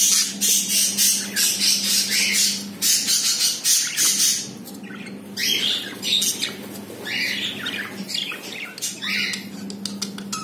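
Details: Pet budgerigar pair indoors, kept in captivity, around the time of the first egg laid; fast, continuous scratchy chatter of squawks and chirps, several per second, over a constant low room hum.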